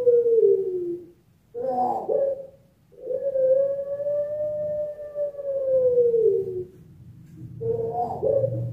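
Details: A Barbary dove (puter pelung) in an online cooing contest in Semarang, Java, Indonesia, on 7 August 2021 gives a long, drawn-out, low hum-like coo of several seconds, bracketed by short rough coo notes, over a faint hum.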